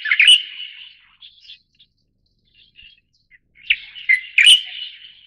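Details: Light-vented Bulbul (Pycnonotus sinensis formosae, Taiwan subspecies) giving two bright, chattering phrases of quick, slurred chirps a few seconds apart, with soft scattered notes between them; otherwise quiet.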